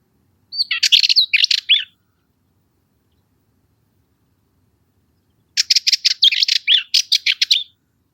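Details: Cyprus Warbler song: two short scratchy, rattling phrases of rapid dry notes, the first about a second long, the second longer and more pulsed after a four-second pause, with a quiet background.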